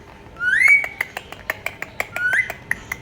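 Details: A talking Indian ringneck parrot (Rose-ringed parakeet) gives two rising whistles with a string of short, sharp clicking notes between them, in a quiet indoor room.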